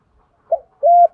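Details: Fragment of spotted dove cooing, male and female birds meant to stimulate training doves: a short soft note followed by one steady, level hoot.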